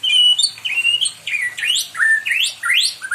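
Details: Caged white-rumped shama singing loudly, described as wanting company: clear whistled notes followed by a series of strongly rising upward-sweeping whistles, each about half a second long.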